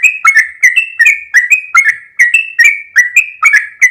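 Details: Sooty-headed bulbul delivering fast 'ropel' song, a tight series of ringing whistled notes that flick up and down around one pitch, each with a clicky attack.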